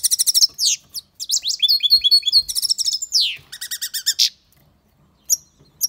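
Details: European goldfinch singing loudly, rushing through varied twittering phrases, buzzy trills and liquid chirps, then falling silent apart from two last short notes.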